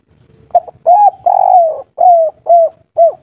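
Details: Spotted dove of a local wild strain giving a soft 'kuk 3' style song. A short clipped note leads into two fuller coos and a long drawn-out sliding coo, followed by three evenly spaced, falling hoots.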